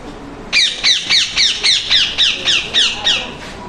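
A parrot gives a fast run of about ten harsh, screechy squawks, each dropping in pitch, spaced roughly three per second, with faint room noise behind.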